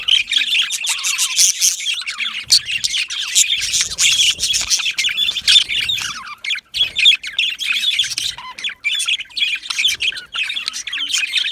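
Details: Yellow male budgerigars in an aviary colony keep up constant shrill chirping and warbling chatter, many voices overlapping with scattered sharp clicks.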